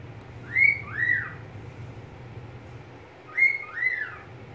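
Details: Softer paired whistles from a pet budgerigar, each note rising then falling, the pair given twice nearly three seconds apart, low hum behind.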